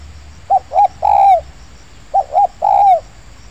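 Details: Spotted dove calling in an oil palm plantation where doves were being lured: two full phrases, each of two brief hoots and a longer, slightly arched coo that trails downward, clear against a soft low rumble.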